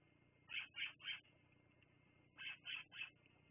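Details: Two clear bursts of three high, chirping piping notes from bald eagles at Fraser Point, recorded by a live cam on 10/02/2022 at 16:59, with a low steady hum beneath.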